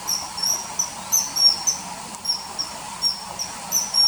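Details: Common kingfisher, early September 2020, calls added to footage of river hunting: piercing thin whistles repeated roughly twice a second, uneven spacing, a steady faint hiss beneath.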